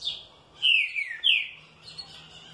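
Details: Green-winged saltator, kept and well treated, responds joyfully with two loud, clear whistles, each sliding downward from high to lower pitch. A softer high note opens the passage and a faint chirp closes it.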